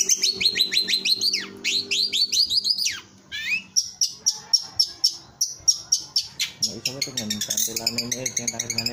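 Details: Champion long-tailed shrike in singing competition delivering varied high song: rapid descending chatter phrases, then crisp repeated clicking notes and quick trills, with a faint low hum and brief human voice in the background.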